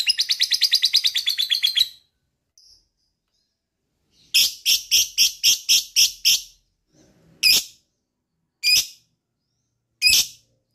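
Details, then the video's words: Lovebird sound used to trigger other lovebirds into their long chattering trill: a fast pulsed high trill of about two seconds, then a burst of rapid sharp chirps and several single harsh chips spaced over the remaining seconds. "DENGARKAN suara LOVE BIRD ini,,bisa m3micu lb untuk ngekek"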